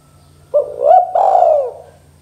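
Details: Spotted dove 'KUK 2' style call meant to make young doves call quickly: low short coo, an upward-curving note, then a prolonged descending coo, over constant low humming.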